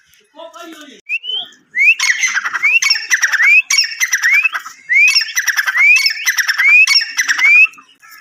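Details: A Grey francolin gives a loud, fast run of shrill call phrases. Each has a sharply rising whistled note followed by harsh ringing notes, repeated about eight times. Softer chirps come first.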